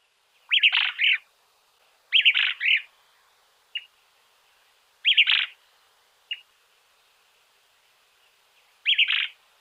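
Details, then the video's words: [1, 'yes', 'song', 'Small-billed Elaenia from Argentina, four burry, rough two- or three-part phrases spaced irregularly, with short sharp single notes between them; the background is quiet.'] "Fiofio pico corto"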